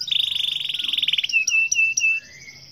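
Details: Canary in full 'gacor' champion song: a rapid dense trill that breaks into a few clear whistled notes, then a soft rising tail.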